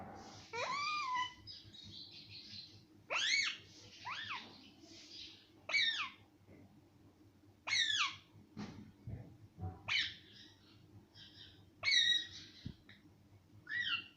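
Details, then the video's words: Pet parrot that talks, said to say mummy and papa, repeating loud arched, speech-like syllables roughly every two seconds, some doubled, with quiet room hum and a few soft knocks between them. "मम्मी पापा बोलने वाला तोता - talking parrot"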